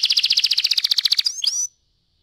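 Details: Canary in rolling song, played as a lure to make other canaries sing: a fast, even, pulsing trill of high notes, about ten per second, ending in two quick upward chirps before silence.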